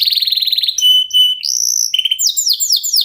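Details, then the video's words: Lure song of a local canary to encourage other birds to sing: quick trill, a long pure whistled note, a higher sustained whistle, then rapid descending chirps. "KENARI LOKAL GACOR TOTAL, SEMUA IKUTAN BUNYI..PANCINGAN AMPUH BIKIN CEPAT GACOR"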